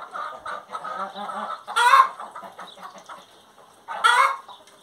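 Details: Hen song: steady soft rhythmic clucks interrupted by two loud, grating squawks about two seconds apart.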